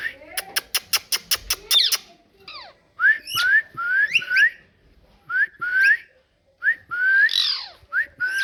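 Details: Pet parrot talking: a quick run of sharp clicks, then repeated short whistled syllables rising from low to high, in pairs and threes with brief pauses between phrases.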